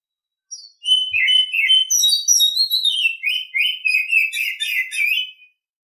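An Oriental Magpie-Robin sings a rich, varied stream of clear whistles and quick twittering notes, high and sweet, lasting about five seconds with no other sounds.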